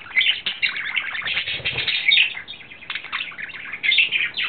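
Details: A lovesick male budgerigar courting in April 2009 delivers a busy, scratchy warble of chirps, trills and high whistles, nearly continuous, with a faint low rustle early on.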